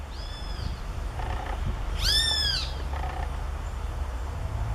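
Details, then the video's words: Great kiskadee calling loudly outdoors: a faint arched, harmonic-rich note early on, then a loud, harsh downslurred note near two seconds, over a low steady background rumble. "Bem te vi chamando alto da natureza"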